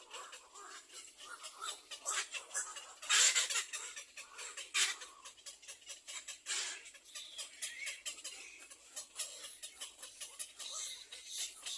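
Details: Little egret chicks in a nest beg the mother to feed them with a harsh, rapid ticking chatter, a dense run of dry clicks that swells in loud bursts and never pauses.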